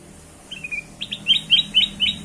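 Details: Kutilang emas bulbul song used as a lure for other birds: a short thin whistle, then a quick run of six bright, sharp chirping notes repeated about every quarter second over quiet background hiss.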